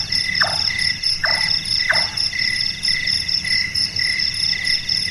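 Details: Three short, knocking, downward-sliding notes roughly 0.7 seconds apart from a Large-tailed nightjar (Caprimulgus macrurus), a nocturnal bird said to sound like someone doing carpentry, set against a constant high ringing of insects.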